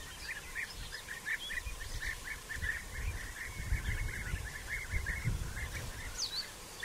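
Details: European bee-eaters in early June, still digging nest burrows, with courtship gifts and mating; a dense chorus of short rolling calls repeated in quick succession by several birds over low rumbling background noise.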